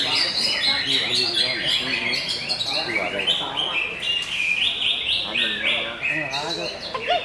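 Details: Cucak hijau, the greater green leafbird, pours out rapid, dense high whistles and chirps in shifting phrases, some notes sliding upward, almost without pause over a constant noisy background.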